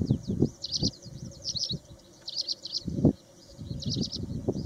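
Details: A paddyfield pipit calling at Osman Sagar, Hyderabad, Telangana, gives short bursts of high, thin chirping notes a second or two apart, over heavy low rumbling and thumping noise.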